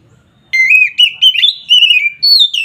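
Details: Oriental magpie-robin singing an agitated song used to anger rival birds: a continuous stream of clear whistled notes rising and falling, with quick slurred ornaments.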